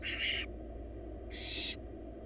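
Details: Nestling barn owls, four wild chicks being given a huge rabbit by the female: two loud, harsh hisses, each under half a second, a second apart, over a constant low hum.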